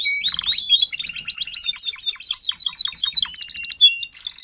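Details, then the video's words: Timbrado canary, an adult tutor singer teaching young canaries to sing, recorded in 2021: bright rapid song of fast repeated metallic notes in quick trilled runs, shifting between pitches, ending in a sustained high whistle. "TIMBRADO KANARIEN (gesang)"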